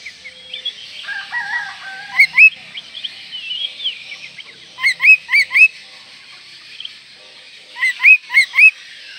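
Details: Oriental magpie-robin in breeding condition, singing to provoke rivals: soft varied twittering, then two bright runs of four quick rising whistles each, roughly four per second, over steady background hiss.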